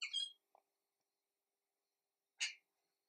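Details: Little wattlebird in Australia giving short harsh calls, a loud raspy burst at the start, a soft low note, then another rasping burst after a two-second pause; quiet background.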